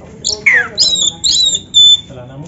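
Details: Kacer, a black-breasted oriental magpie-robin kept by bird fanciers, gives a stimulating training song: a steeply falling whistle, then high scratchy notes and a long, thin, pure whistle, ending in soft chatter.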